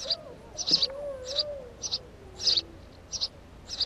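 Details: At the nest, a house sparrow gives rapid bursts of loud, high chirps, several grouped closely, while a thin gliding whistle-like tone drifts underneath.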